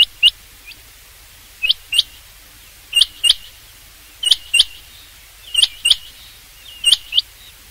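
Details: Paired high metallic notes from a rain quail, the couplets repeated steadily about every 1.3 seconds through the recording, over a faint low hum.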